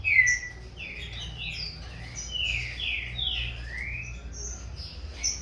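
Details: Captive young green-winged saltator, a corvo x fogueira cross, starting to compete in song with its father at a breeder: a run of loud, clear downslurred whistles, several overlapping, over a low steady hum.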